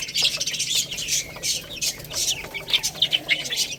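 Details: Baby hens feed on rice amid rapid, excited chirping. The shrill peeps are repeated several times a second by more than one chick, and faint tapping is heard.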